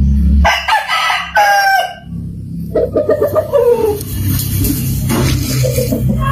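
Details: Rooster crowing in a yard: a loud harmonic crow in the first second and a half, then a second, falling, drawn-out crow near the middle, with low background hum throughout.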